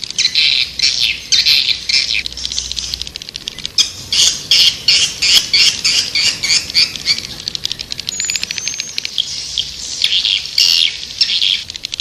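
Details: High twittering of swiftlets: repeated bursts of shrill, buzzy chirps at an uneven pace, with one brief thin whistle midway and crackling clicks throughout.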